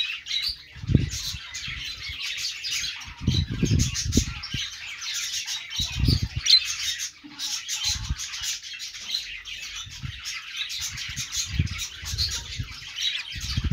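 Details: Happy budgie noises, an unbroken chatter of buzzy chirps and squeaks that rises and falls in loudness, with occasional dull thumps between phrases.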